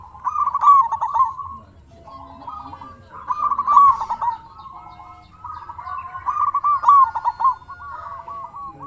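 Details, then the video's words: Local zebra dove singing to provoke replies from other doves: three loud trilled phrases separated by softer broken cooing, voices of more than one bird overlapping. "Suara burung perkutut sangat istimewa 100% auto nyaut"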